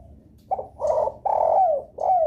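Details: Spotted dove lure call meant to make other doves answer, a four-note cooing phrase: two short soft coos, then a long drawn coo falling at the end, then a final short falling coo.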